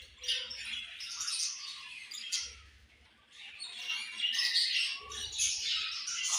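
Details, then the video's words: Many budgies chattering at once, a busy wash of high twittering, squeaky chirps and short warbled notes that dips briefly midway before building again, over faint low background hum. "Very Beautiful Budgies Chirping Sounds"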